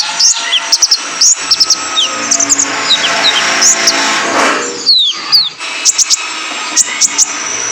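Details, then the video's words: Male kolibri ninja recorded to train caged birds: rapid, very high ticking chirps and short descending slurs repeat over constant hiss, with a brief sweep and a gap before more sharp notes. "PANCINGAN KONIN JANTAN BIAR GACOR"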